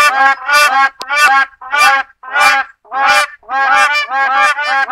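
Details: West African crowned crane, or black crowned crane, producing a series of loud nasal honks about every half second, each a broad harmonic burst, with brief quiet gaps and a denser run of calls near the end.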